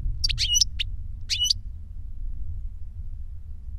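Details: Short reclamo phrase from goldfinches, a tutor and a novice trained on a CD of its song. A few sharp, high chirps in the first second and a half, then only low hum.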